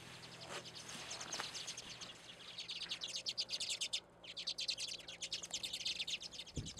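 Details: Redpolls, small cold-weather finches, at a full seed feeder on a back deck in Anchorage, Alaska, in February; overlapping high chirps and rapid rattling trills from several birds form a dense chatter, with faint background noise and a low thump at the end.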